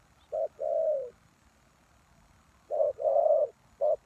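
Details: Lure spotted dove calling for wild doves: a low short-then-long coo phrase, a pause of over a second, then another phrase and the opening note of a third.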